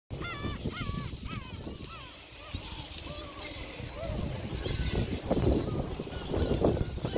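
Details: Gulls at Gyeokpo Beach on Korea's west coast, a noisy flock calling over the shore: arched, nasal, harmonic cries in a quick run at first, then scattered farther calls over steady surf and a murmur of beach crowd noise.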